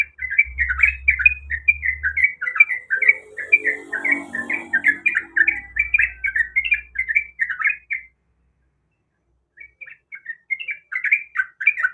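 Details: Female sooty-headed bulbul in breeding condition calling the male: a fast, rolling string of chirpy slurred notes, a short break, then a fresh burst, with some low rumbling and a muffled murmur midway.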